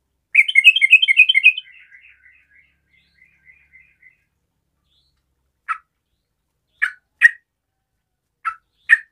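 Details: Sooty-headed bulbul, a 'garuda' trucukan in full song to set off other bulbuls: a loud, quick, bubbling whistled burst fading into soft notes, followed by several sharp isolated clicks after a pause.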